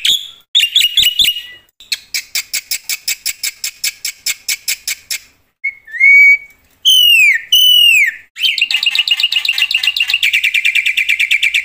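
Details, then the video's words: Black-winged myna singing loudly in full flow with imitated fill phrases: a clicking buzzy stutter, then clear rising and falling whistles, ending in a rapid shrill trill. "suara KERAS jalak putih gacor full isian"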